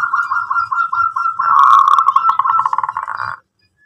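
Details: Local zebra dove in full voice, meant to get other doves singing: a long unbroken run of rapid, pulsing coos that grows louder and more rolling, then stops abruptly; faint low thumps beneath.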